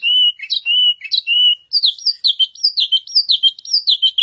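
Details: White canary (Serinus canaria) singing: three long sustained whistled notes, then a fast run of bright warbling phrases rising and falling between high pitches, with no other sounds.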